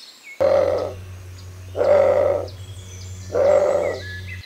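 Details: Bare-throated tiger heron (Tigrisoma mexicanum) in Costa Rica, 2021, gives three deep, hoarse, roaring croaks, each under a second, about every one and a half seconds, over a low steady hum and faint thin whistles from other birds.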